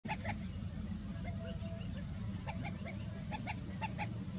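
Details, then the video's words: Chestnut-bellied sandgrouse in Rajasthan, India, call with short, throaty, slightly nasal notes in quick pairs and clusters, plus one drawn-out note, over a steady low rumble of wind. "Chestnut-bellied sandgrouse call"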